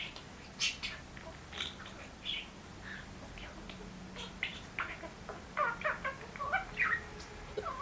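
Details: A pet budgerigar playing with toys on the floor chatters in quick, scratchy squawks and warbled chirps, mostly in short bursts.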